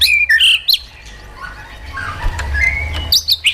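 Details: White-rumped shama song in wild-forest style for training caged birds: loud bright whistled phrases open and close the passage, with a quieter stretch of soft warbling and background hum between.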